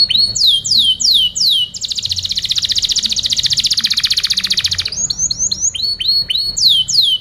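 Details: Canary song used as a tutoring recording for other birds: clear descending whistled sweeps repeated quickly, then a long fast buzzy trill of about three seconds, returning to rapid falling whistled notes.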